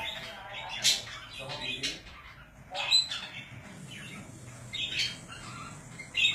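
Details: Pet budgerigars at home chatter in a mix of short squawks and thin chirps, irregular bursts roughly every second or two, with a faint warbling murmur between calls.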